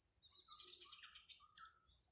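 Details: Blue-crowned hanging parrot calling in a grassy spot: thin, high chirps and short buzzy notes in a quick, uneven run, with a steady high insect-like whine underneath.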